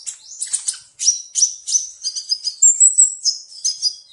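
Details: Sunbird singing: sharp, high descending chips in a quick series, then a run of thin, level whistled notes and shrill trills, delivered rapidly about three per second.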